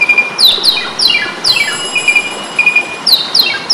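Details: Asian pied starling in fighting mode, recorded to tutor cage birds: harsh descending raspy sweeps repeated in close pairs, mixed with short flat chirps, about two phrases per second.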